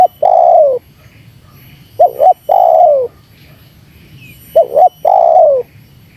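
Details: Spotted dove cooing, played to provoke wild doves: one long descending coo, then twice a quick two-part coo followed by a sustained falling coo, the phrase repeating about every three seconds, with a faint steady electronic hum.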